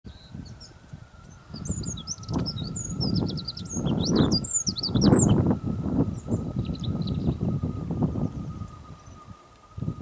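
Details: A Eurasian wren (Troglodytes troglodytes) sings on Texel, Holland, on 13 November 2011, giving high, rapid twittering notes and brief trills partly masked by heavy low wind rumble and a steady mechanical hum.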